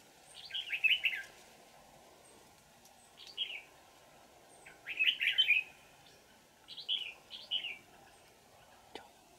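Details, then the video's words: Red-whiskered bulbul, a wild old bird with a twisting bell-like voice, during decoy trapping on 20 December 2018: four bursts of rich chattering, warbled whistles, spaced a couple of seconds apart over quiet background. "Bẫy chào mào Già rừng giọng chuông xoắn tít"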